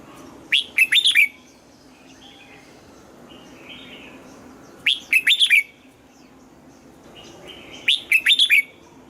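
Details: Red-whiskered bulbul made to sing in the morning in the wild double-note style. Three matching phrases of five rapid, bright, warbled whistles repeat about every 3.7 seconds, with a faint buzzy note between them.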